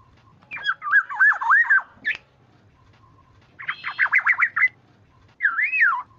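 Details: Black-naped Oriole lure call to prompt other orioles to answer. Rapid strings of wavering liquid whistled notes come in bursts, with a final looping fluted phrase. A faint steady tone runs in the background.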